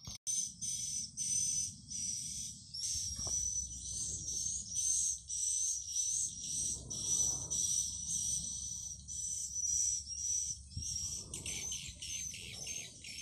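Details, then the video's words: Amplified swiftlet call used to draw swiftlets in: rhythmic pulses of high, shrill chirping nearly two per second, with a thin steady whistle-like tone running through and faint low rumbling below. "Suara panggil PJW"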